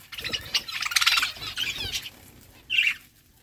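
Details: Budgies chirping while eating seeds: a quick burst of scratchy, warbled chirps and twitters in the first two seconds, a pause, then one short bright squawk-like chirp before quiet.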